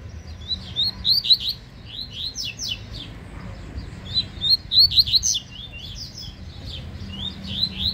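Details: Yellow-bellied seedeater in a singing dispute, delivering two energetic, rapid phrases of loud, sharp, high twittered notes separated by brief gaps, over light low background noise.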